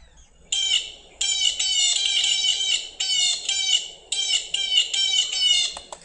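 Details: Blue jay (Cyanocitta cristata), screech call.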